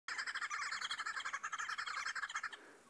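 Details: Green wood hoopoes cackle together in a harsh, rapid, rattling chorus, about ten bursts a second, nearly unbroken and slowly fading at the end, a group flag-waving display at Djuma Game Reserve, 2 May 2017.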